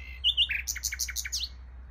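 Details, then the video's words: A nightingale heard beside a bike path sings a brief phrase: two clear high whistles, then a fast run of sharp, repeated chipping notes, over a low steady hum. "Nightingale singing"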